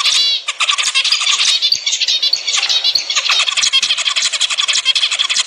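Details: Zebra finch song used to stimulate pairs to mate: continuous high, buzzy chatter with squeaky, nasal notes and rapid trills, several birds seemingly overlapping throughout.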